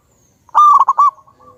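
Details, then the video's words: Loud local wild zebra dove recorded as a lure: a single quick series of four or five punchy, rolling coo notes ending in a faint trailing tone, in an otherwise quiet setting. "Pancingan burung perkutut Lokal Alam super Gacor suara Besar"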